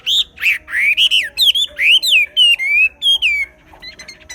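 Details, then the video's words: Chinese hwamei from the Ha Giang highlands of Vietnam, a kept songbird, in loud song: a sequence of clear rising and falling whistled phrases, roughly three per second, ending in a short pause and soft high notes. "Họa mi xoè"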